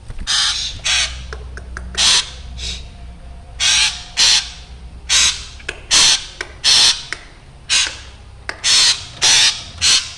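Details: Chatty black drongo giving a frightening-sounding series; roughly fifteen harsh scratchy calls, some doubled, interspersed with faint clicks, kept up for ten seconds.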